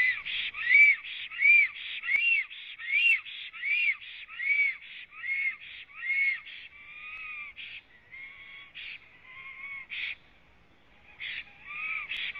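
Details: Black stork at its Latvian nest, live-cam footage from 26 April 2017 at 09:31, singing after arrival: loud rhythmic rasping wheezes with arched whistled notes, fading into quieter drawn-out tones and a brief silence before resuming.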